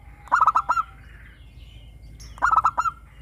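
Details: Local zebra dove in full song with a bright 'crystal' voice, meant as a lure to make caged doves sing: two phrases of rapid, evenly spaced cooing notes, each opened by a lower rising note, about two seconds apart.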